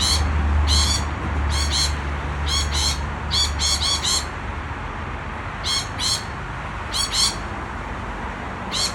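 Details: Super excited lorikeets squawking in rapid clusters of harsh, buzzy screeches, busy at first then thinning to scattered pairs of calls, with a low background hum early on.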